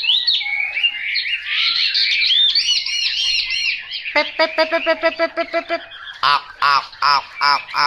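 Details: Chinese hwamei song of quick whistled slurs, followed by rows of harsh, nasal, repeated notes about three per second in the second half.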